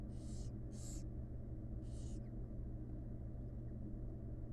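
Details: Wild barn owl chicks beg during gentle feeding by their mother in a nest box: three short snoring hisses in the first two seconds, then only a steady low rumble.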